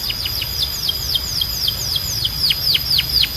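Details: Singing canary delivering a steady series of high, downward-slurred whistled notes, about four per second, over a soft background hiss.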